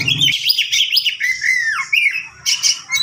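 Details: Oriental magpie-robin giving a long, continuous song used to tutor other birds: loud, varied whistles and harsh squawky phrases, sweeping up and down in quick succession, with a low buzzing noise at the very start.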